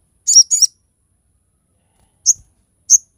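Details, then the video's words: Sharp, high-pitched shots from a crested jay, used as a tutor and lure recording: a quick pair of buzzy double notes, then a pause and two clean, piercing single chips about half a second apart. "SOGOK ONTONG GACOR FULL TEMBAKAN TAJAM COCOK UNTUK MASTERAN DAN PANCINGAN SOGON OBYOKAN"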